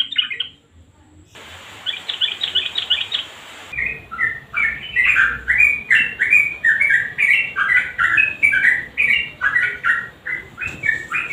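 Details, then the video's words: Sooty-headed bulbul nguklik song, garuda combination, meant to coax mute birds into song: a fast buzzy chatter at the start gives way to steady, rhythmic whistled phrases repeated about twice a second. "Trucukan GACOR NGUKLIK kombinasi GARUDA yang BISU pasti IKUTan bunyi"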